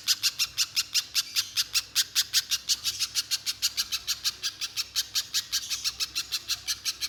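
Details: Little spiderhunter (pijantung pisang) singing vigorously without pause ('gacor konslet') as a lure for other spiderhunters: sharp, high, buzzy chips delivered in a quick, steady run of about six per second.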